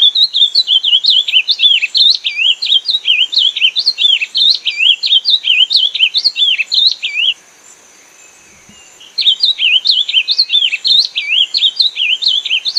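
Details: Sonorous ultramarine grosbeak song repeated twice: a seven-second stream of fast, wavering looped whistles, a short silence, then the same rolling phrase starting again, with no other sounds.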